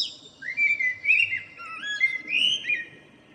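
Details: Morning song from a local common blackbird, 2 April 2013: a continuous flowing series of rich, mellow whistles stepping up and down, unhurried and clear.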